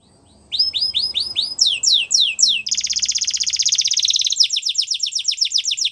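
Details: Canary song played for training young canaries: after a brief quiet start, repeated high descending sweeps, then a fast buzzy trill and rapid repeated notes, all high-pitched and continuous.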